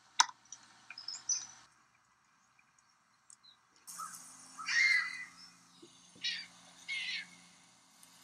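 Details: Snow Bunting in Kananaskis, Alberta, Canada, giving a few short, buzzy, rolling call notes spaced a second or two apart, with a faint mechanical hum underneath.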